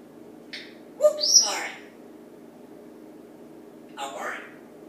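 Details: Male African grey parrot in a Texas home kitchen, perched in the morning and saying "Yeah! Banana!", recorded on an iPad: two short speech-like bursts with a sharp whistled note, a pause, then a final rasping word over low room hum.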